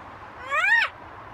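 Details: Macaw parrot voice: one clear, drawn-out syllable that arches upward and dips sharply at the end, tonal and voice-like, against a low steady hum.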